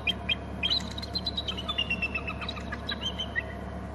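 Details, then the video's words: Both bald eagles of a Hornby Island nest screech while a third flies in from inland; a near-continuous run of shrill, chattering whistled notes, rising then dropping in quick series, above a constant low drone. "both eagles screeching as a 3rd flies in from inland"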